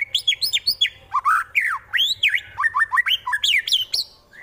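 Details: Loud fighting song of a White-rumped shama, Wonosobo, Central Java, meant to make rival birds angry and fight: fast varied sweeping whistles and harsh rising-falling notes delivered in quick bursts, one after another, over a faint low hum.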